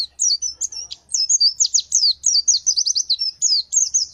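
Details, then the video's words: Gacor fighter white-eye (pleci) singing in its shooting style: fast, high, buzzy zigzag whistles strung into a continuous rapid chatter of about three notes a second, with no other sounds. "The sound of the Gacor fighter pleci bird shooting"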